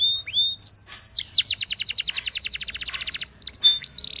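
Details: Canary training song, identified as Belgian canary but presented as Spanish timbrado: bright, high song of pure whistled notes, then a fast metallic rattle of about twenty repeated notes, ending in a sweet whistle.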